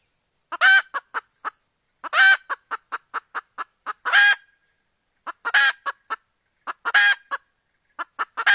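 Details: Hen calling for the rooster: loud, harsh, honking squawks with strong harmonics, each followed by clusters of short, sharp clucks in a loose, uneven rhythm over about eight seconds.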